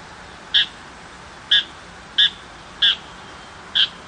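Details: Tiger shrike, a small shrike that does not imitate other species, calling in rural countryside. Five separate short, harsh, nasal notes come about once per second or a little faster, each sharp and clipped against a quiet background.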